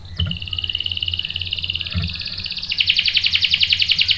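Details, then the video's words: A canary pours out a high, continuous rolling trill that grows louder and more rapidly pulsed midway, with a couple of faint low knocks behind. It is a lure song meant to make other canaries answer with rolling. "PANCINGAN KENARI GACOR bikin EMOSI jadi NYAUT NGEROL TAJAM | CANARY SINGING"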